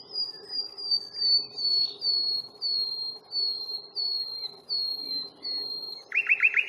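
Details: Nightingale on a reserve walk at Fingringhoe, 1 May, recorded with a Panasonic Lumix FZ82: a slow series of about ten clear, high, slightly falling whistles, each one separate, ending in a sudden loud chattering rattle.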